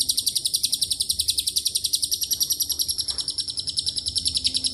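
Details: A lovebird's extended ngekek, filled with cililin and canary elements, runs as a thin, very high rattling trill of evenly spaced beats near three and a half per second, unbroken for nearly five seconds.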